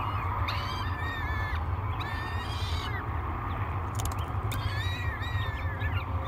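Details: Nest camera at Great Spirit Bluff, 24 May 2022: three hungry peregrine falcon chicks calling at breakfast with repeated shrill, slightly falling wails about a second long, several in a row, plus a brief clicking sound and steady low rumble.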